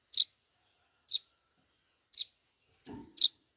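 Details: Begging Eurasian tree sparrow chick asking for food, giving high, clipped chirps at roughly one-second intervals, four calls, with a brief low thump near the end.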